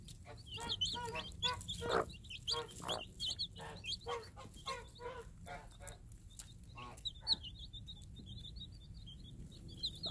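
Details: Tame free-range game hen calls her day-old chicks while dropping food for them: a run of quick, low, throaty clucks over several seconds, with a steady chorus of high, thin chick peeps throughout.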